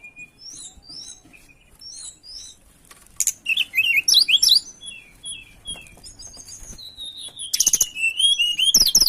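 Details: Lure recording of mountain tailorbird song: soft high chirps at first, then louder quick twisting whistles and a final burst of sharp, rapidly repeated falling notes.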